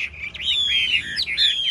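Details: Caged Chinese hwamei in a singing contest with other birds, giving a short burst of loud, clear whistled notes that slide up and down, with a speaking man faintly in the background.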